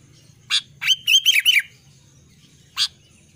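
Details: Albino sooty-headed bulbul singing: a sharp chip, then a rapid chuckling phrase of four slurred whistled notes falling in pitch, and one more chip after a pause, over a soft low hum.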